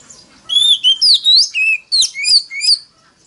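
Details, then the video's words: Loud forest-voice song of an Oriental magpie-robin, used as a lure to incite rivals to sing back: about two seconds of clear whistles, upslurs and quick sliding notes in rapid succession, with faint background hiss. "File choè than mồi kích bổi đấu GIỌNG CỰC TO || Gọi choè than SIÊU NHẬY"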